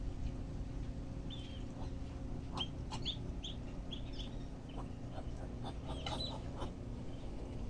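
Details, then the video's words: Thirteen black-bellied whistling duck chicks at feeding time in Boca Raton, Florida, USA, giving short high peeps, scattered and overlapping, over a steady low rumbling background noise. "Thirteen Black-bellied Whistling Duck chick feeding time"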